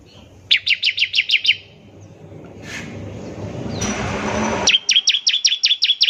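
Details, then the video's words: A bar-winged prinia trills ngebren-style to draw other prinias into song. A burst of about seven quick high notes is followed by a swelling rush of passing-vehicle noise, then another fast run of sharp notes. "ciblek semi gacor, NEMBAK NGEBREN untuk pancingan ciblek semi agar cepat bunyi"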